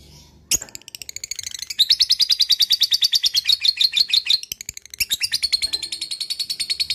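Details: Lovebird ngekek, a long chattering song: after one sharp opening note, a fast, high, metallic rattle pours out for several seconds, pauses briefly, then resumes as another sustained rapid chatter.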